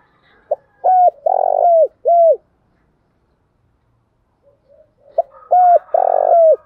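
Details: Spotted dove in the Đồng Thổ voice style, cooing to push a rival male into calling back; a phrase of short clipped notes and one longer husky coo, repeated after a silent gap of about three seconds.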